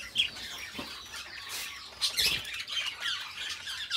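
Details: Pair of companion budgies singing and talking: dense, gritty chatter of quick squawky notes and chirps, rising into louder harsh bursts near the end.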